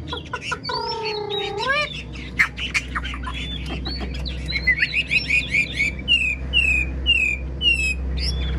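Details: Wild-caught old Chinese hwamei, praised for an excellent singing voice: a long slurred whistle rising at the end, then varied warbled phrases and a run of quick repeated downslurred notes, over a steady low hum.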